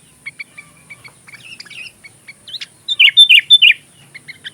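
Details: Sooty-headed bulbul (kutilang), a lively singer, as filler song for magpie robins: a run of faint short chirps, then a loud burst of four rich, warbled whistled phrases near the end, and a few soft notes after.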